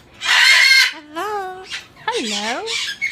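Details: Pet-store umbrella cockatoo greeting a visitor: a burst of harsh screech followed by bending, voice-like syllables that dip and rise, finishing with raspy noises.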